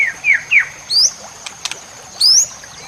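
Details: White-rumped shama song from a full-fill masteran recording used to train songbirds to sing and compete: a few clear descending whistles, then two rising slurred whistles with long pauses. A steady high electronic whine runs throughout, with faint ticks.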